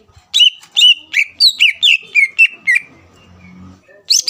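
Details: Greater green leafbird provoking song to make rival birds respond: about a dozen loud whistled notes in quick succession, then faint background noise and a final pair of bright notes.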